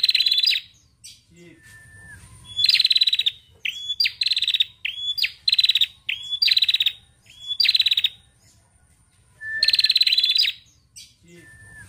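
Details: A female bar-winged prinia gives high, buzzy, crackling bursts of about half a second each in quick irregular runs, with a faint thin high whine behind; used as a lure to get silent prinias singing.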